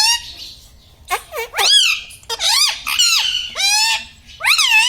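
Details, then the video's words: Pet parrot talking indoors, reported to say mummy, papa and radhe radhe; loud, nasal, speech-like syllables swoop downward and up again in several close bursts separated by brief silences. "Talking mummy papa|| mummy vala parrot || mithu bolo radhe radhe"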